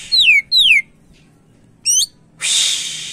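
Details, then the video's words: Greater green leafbird with lure-quality song: two clear, down-slurred whistles in quick succession, a pause, a short rising squeaky note, then a harsh noisy rush. "Burung Cak Ijo Gacor cocok buat pancingan"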